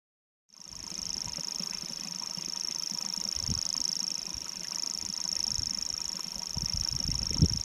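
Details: Grasshopper warbler singing in North Antrim, a continuous high, insect-like reel held steadily throughout without a break, over a low rumbling background.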